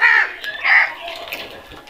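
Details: Two harsh crow caws follow each other closely at the start, the second slightly longer, then fading into quiet background noise.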